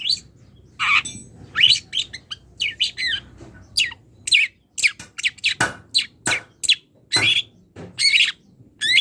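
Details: Rival-calling long-tailed shrike giving a rapid, uneven string of rasping chirps and clipped squeaks, with brief gaps between clusters and a faint low hum behind.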